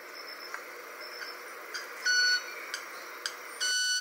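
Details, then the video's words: Two male club-winged manakins display for a female at the 23 de Junio Reserve, Ecuador, as part of their mating display: sharp dry ticks followed by loud, sustained, ringing tonal notes about a third of a second long, over a steady humming forest background. "Club-winged Manakin display"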